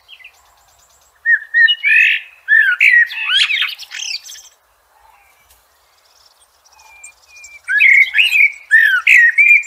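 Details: Blackbird song in a natural setting: a run of rich whistled warbles with scratchy high notes mixed in, a pause with faint thin whistles, then a fresh burst of fluty phrases.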